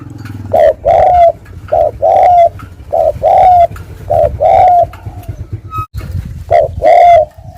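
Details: Wild spotted dove giving a loud urging coo used as a lure: low, mellow hooting phrases of two or three notes, the last note sliding slightly, repeated several times with short pauses.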